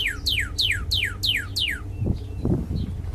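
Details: Six rapid, loud down-slurred whistles from a red cardinal, evenly spaced, followed by several dull thumps and knocks and a low hum.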